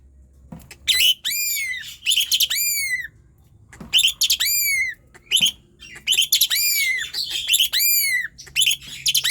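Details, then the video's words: Vigorous Asian pied starling song used to coax lazy birds into voice: repeated phrases of rich harmonic whistles, each ending in a long downward slur, broken by brief clicks and gaps. "Jalak suren gacor NGOTOT | COBA,. untuk PANCINGAN jalak suren LELET dan MALAS BUNYI"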